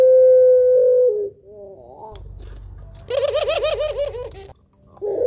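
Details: Laughing-style song of a puter pelung dove, sung to attract other birds: a long held coo, a soft rippling phrase, then a quick run of bouncing, wavy notes, ending with a brief low coo.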